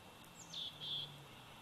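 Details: Nest cam at Big Bear Valley on 27 July 2019 catches a 104-day-old bald eagle eaglet giving a short downward squeal and then two shrill, drawn-out peeping notes, with low hum underneath.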